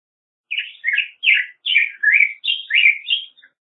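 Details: Black-headed grosbeak delivering a fluid phrase of about eight rich, burry whistles that dip and rise in pitch, ending with a faint short note.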